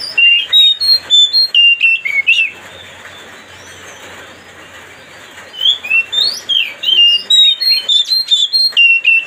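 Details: Oriental magpie-robin singing, used to provoke and agitate another bird: rapid bursts of loud, clear whistled notes, some sweeping up or down, repeated several times a second, broken by a quiet pause midway before the lively phrases resume.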